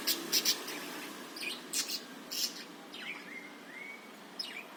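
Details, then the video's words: Budgerigar chatter, a recording used as a lure to stir other birds into singing: sharp high clicks and ticks in short bursts, then a clear drawn-out whistle that rises and levels off, over steady low background hum. "suara burung parkit ..bagus ni buat pancingan"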